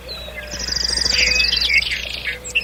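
A nightingale delivers a fast, rattling trill of high, sharp notes lasting about two seconds, followed by a brief whistled phrase, over a faint low hum.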